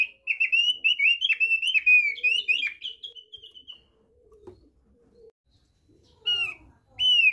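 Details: Thick-billed white-eye from East Nusa Tenggara giving its basic song (kicau dasar): a quick run of clear, slurred whistles for about three seconds, then a pause with faint low noise, and two more short whistled phrases at the end.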